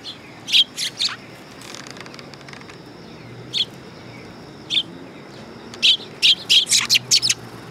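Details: Several sparrows coming onto a raised platform at a Tenmangu shrine, 3 September 2022: scattered sharp chirps, then a quicker run of bright tweets near the end over a low background hiss.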